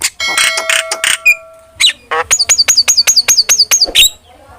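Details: Starling song used as a lure and master for training: buzzy chattering notes, then a fast series of about ten high, sharply falling whistles repeated evenly.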